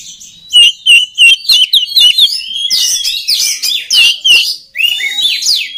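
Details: Oriental magpie-robin song for training others of its kind: a few evenly spaced, clear repeated notes, then a jumble of fast slurred whistles and scratchy phrases.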